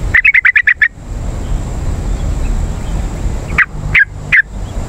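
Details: Yellow-vented bulbul calls played to lure wild birds: a quick run of six bright chattering notes, then a pause and three separate sharp notes, with a low rumbling background throughout.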